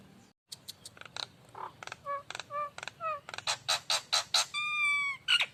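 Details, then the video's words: Lively Nias hill myna in lure song: varied honking and whistled notes in quick succession, some dropping in pitch, rising to loud rasping bursts and a long drawn harmonic note near the end over a low background hum. "suara Pancingan burung jalak Nias"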